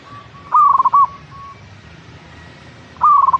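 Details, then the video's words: A perkutut, the local zebra dove, delivers quick rattling coos in short phrases. A softer dove calls faintly in the background. "Pancingan Burung Perkutut Agar Cepat Bunyi - Zebra Dove"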